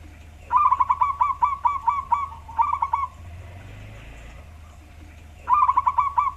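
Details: Wild local zebra dove with a deep, bass-toned voice, used as a lure for other birds. It gives quick rolling bursts of hollow cooing notes, falls silent, then starts another burst. A low steady hum runs underneath.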